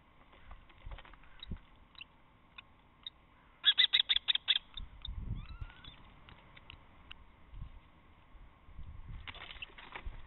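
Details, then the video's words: Resident female common kestrel in a nest box on March 27, defending it as a newcomer tries to push her out: a short burst of about seven sharp, shrill, rapidly repeated notes, with fainter scattered calls, scraping and low thumps around it. "A Kestrel Love Triangle"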